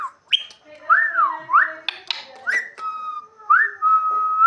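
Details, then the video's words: A pet talking parrot called Mian Mithu, kept indoors, gives clear whistled notes: rising and falling slurred whistles, short sharp chirps, then long steady level whistles near the end, with brief clicks between phrases. "mian mithu bolny wala parrot"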